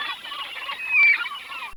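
A gull gives one short, high, slightly falling cry near the middle, over a steady hiss like wind or surf.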